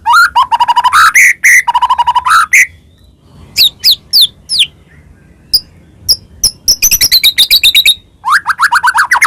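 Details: White-rumped shama used as a singing lure for other shamas: bursts of rapid repeated notes, scattered high upslurs and clicks, a high trill, then a closing run of fast looping whistles.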